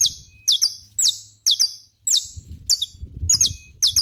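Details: Loud, steady saffron finch song of sharp, high, falling chips, often doubled, repeated about twice a second throughout, with faint low rumble underneath.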